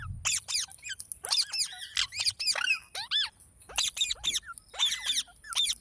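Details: Sharp, high green parrot chirps in clipped groups of two to four, with short silences between bursts and a faint steady hiss in the background.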